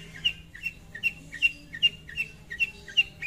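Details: Lively long-tailed shrike calling out to a rival: bright clipped chirps repeated steadily, about two or three each second, each a quick two-part note, with a quiet low background.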